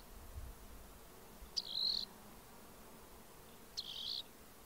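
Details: A rock wren delivers two harsh, buzzy high trills about two seconds apart, each opened by a crisp note and held level for roughly half a second, with quiet surroundings.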